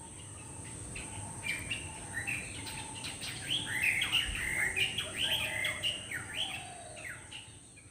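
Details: Drongo, possibly a Sri Lanka crested drongo (Dicrurus lophorinus), giving a busy run of sharp, metallic chirps and twisting whistles, several per second, over a steady high insect hiss; identified as Black drongo.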